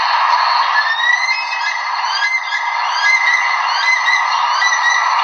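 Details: Bush stone-curlew night call played from a phone: thin, rising and falling wailing whistles repeated over a steady hiss, tinny and band-limited.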